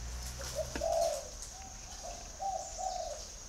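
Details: Spotted dove cooing more softly: one fuller coo, then a pause and a few quieter short coos, with low rumble and a high steady whine in the background.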